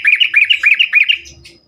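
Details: Lure song of a yellow-vented bulbul (trucukan), meant to make other bulbuls reply and sing more: a loud, rich, bubbling phrase of about eight quick rolling notes, fading out at the end.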